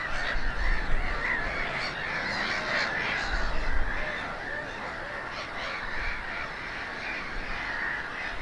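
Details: Black-headed gulls on eggs at a breeding colony at Snettisham, Norfolk, UK, 8 May 2018, give a dense chorus of harsh, raspy calls, many birds calling over one another, with wind rumbling underneath.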